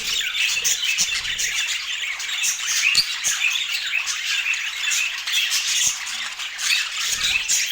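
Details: Several budgerigars chattering during a feeding routine. Constant bright twittering and scratchy warbles, with occasional sharp clicks from movement.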